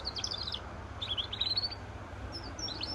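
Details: Short phrases of high, clipped twittering from a goldfinch-canary hybrid, three bursts spaced across a few seconds, with low background hum.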